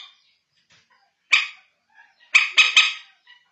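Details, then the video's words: Common moorhen, or bantiung, calling in a recording made to lure birds at night (manyapung): one rasping note, a pause, then a fast three-note harsh burst, with faint soft croaks between. "Suara Terbaru Panggil Burung Bantiung 06 (common morhen)"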